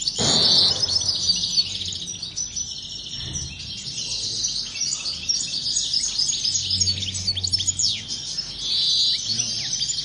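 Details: Group of European goldfinches in full song: a busy mix of fast liquid twitters, short rising and falling whistles and buzzy trills over a low background rumble.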